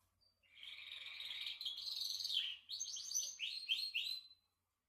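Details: Canary singing softly: a continuous warbling, buzzy phrase gives way to a series of quick, repeated, falling slurred notes, with a faint low hum in the background.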